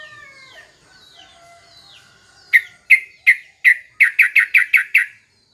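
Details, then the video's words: Trucuk (yellow-vented bulbul) singing to provoke other bulbuls into answering, used in morning bird care: faint warbling first, then a run of loud, sharp, bubbly notes that quicken into a rapid series near the end. "suara trucuk SATU ini AHLINYA bikin terapi burung trucukan gacor lawannya bikin NYAUT"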